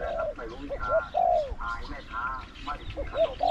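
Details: Spotted dove cooing near a trapping site where a caged decoy bird answers wild doves: soft, mellow coos, several arched and falling, given in a loose irregular series, with a man talking in the background.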